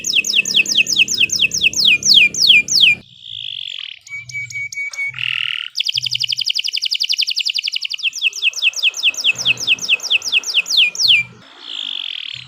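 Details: Canary song alternating descending whistled sweeps, short steady whistles and buzzy notes, and rapid rattling trills, delivered continuously with brief pauses.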